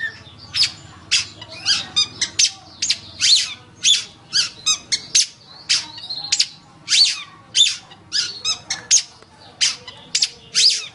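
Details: Long-tailed shrike in a training recording for songbirds: a steady string of sharp, high chips and short squeaky notes, delivered in irregular pulses of about two per second.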